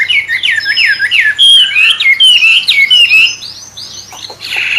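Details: Wambe bird, said to resemble a magpie robin and played to train songbirds, gives a series of looping whistled slurs, then higher thin notes and a brief harsh burst at the end.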